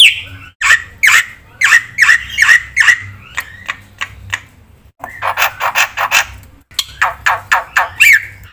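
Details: Actively singing black-winged myna with a full repertoire, meant as a lure and tutor for silent birds: rasping, scratchy squawks delivered in quick rhythmic series, several with a ringing core, separated by brief gaps, with low hum in the background.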